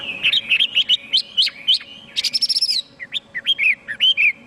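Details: Chinese hwamei (Garrulax canorus) singing a rapid, varied run of loud, high, bright whistled phrases with sharp up-and-down slurs and quick buzzy trills.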